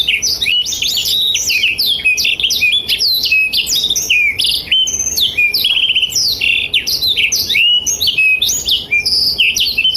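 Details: Continuous chattering song of a blackthroat, presented as tutor material for canaries both young and mature. Very fast, unbroken stream of sharp chirps, slurred whistles and brief trills with almost no pauses.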